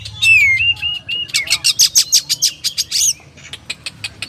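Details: Kacer or oriental magpie-robin opening with a long falling whistle and steady held notes, then a rapid series of harsh repeated chips around three per second that fade out.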